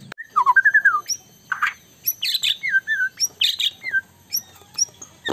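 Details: White-rumped shama singing strongly, said to rile rival birds: a wavering descending whistled run, harsh bursts, clear downslurred notes and short high chips spaced through the phrase.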